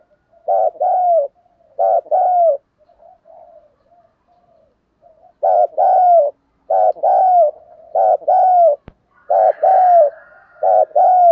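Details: Spotted dove cooing, played to attract wild doves: about seven two-part phrases of a short rough note then a drawn-out coo, with a pause of soft quiet notes mid-way and one sharp click.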